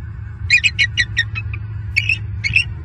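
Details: Overnight at a Southwest Florida nest tree, an eagle pair stays alert and vocal after a suspected owl approaches; a quick run of sharp, high staccato piping notes, then a pause and two more clipped squeals, with steady low background hum.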